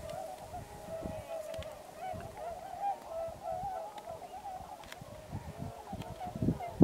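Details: A large flock of migrating tundra swans at Pocosin Lakes National Wildlife Refuge, Pungo Unit, gives a continuous chorus of mellow, high-pitched hooting and yelping calls, overlapping densely over low rumbling noise.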